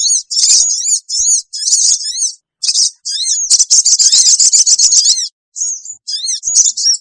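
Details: High-pitched bulbul lure chatter used to pull in wild sooty-headed bulbuls: choppy bursts of scratchy notes merging into a long rapid screeching run, then sparse calls.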